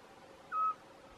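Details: A Eurasian scops owl calling at Arneiro, Nisa, Portalegre, gives a single short, pure whistled note, steady in pitch and mellow, over a faint background hiss.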